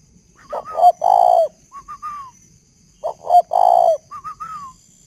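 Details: At night, around 10–11 pm, a male spotted dove with a decoy bird gives a mellow, hollow cooing phrase: quick soft notes, a longer low coo, then lighter rising notes, twice, about three seconds apart; it keeps calling under flash light.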